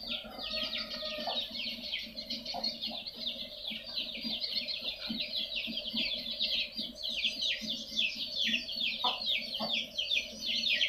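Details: Swiftlet calls played as a lure to attract swiftlets: continuous buzzy, rasping high twitters repeated in quick descending strokes, with a steady low hum and soft clucking in the background.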